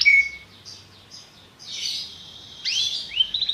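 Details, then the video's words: Belgian canary song: a thin whistled note, then short chirps and a buzzy rising phrase, with sweeping upward notes near the end. "a canção do canário belga que é popular"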